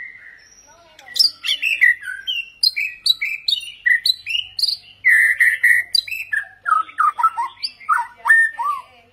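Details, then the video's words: White-rumped shama singing a rich, many-voiced run of clear whistles, slurred notes and quick chatters, each phrase changing pitch and pattern with barely a pause. "chòe lửa hót nhiều giọng"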